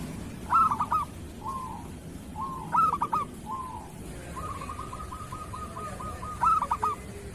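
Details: Local zebra dove singing in kerot style, used to train lazy or moulting doves to sing: low cooing phrases with quick stuttering notes, a soft rolling trill and a bright stuttered coo repeated, over steady background hiss.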